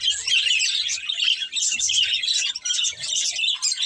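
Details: Breeding pair of budgerigars giving a busy stream of high, scratchy chirps and warbles, tightly packed and overlapping, with short pauses near one and a half and two and a half seconds; soft low knocks underneath.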